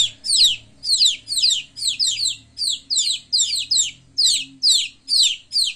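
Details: Baby chicks at play give bright falling peeps in rapid pairs and runs, uneven in spacing, over a soft low background hum.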